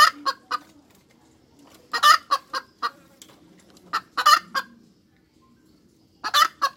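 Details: Several hen cackle phrases: harsh clipped clucks in clusters of three to five, each cluster with one heavier, longer squawk, separated by short quiet spells.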